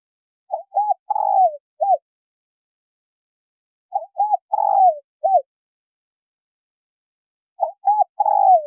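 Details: Male and female spotted doves cooing to lure wild doves: three repeated phrases about three and a half seconds apart, each two short coos, a long rolling downward coo and a brief end note, with no other sounds.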